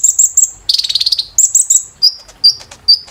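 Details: High, piercing kolibri ninja (olive-backed sunbird) song used to train caged birds: chirp triplets, a brief buzzy trill, more chirps, then three evenly spaced thin whistles.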